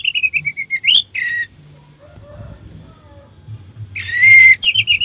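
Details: Orange-headed thrush song used as a lure to rouse other thrushes to sing: a descending run of clear whistles, scratchy chatter and high thin whistles, with a low hum underneath.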